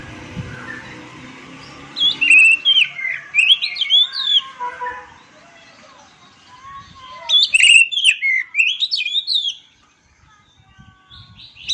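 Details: Oriental magpie-robin song in two bursts of rapid, jumbled whistles and chirps that swoop up and down, separated by a quieter spell. Faint background noise is audible early on.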